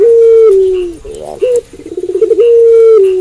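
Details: Barbary dove of the puter pelung type cooing at night. A drawn-out level coo that drops slightly, then a short note and a fast stuttering run, then another long steady coo begins.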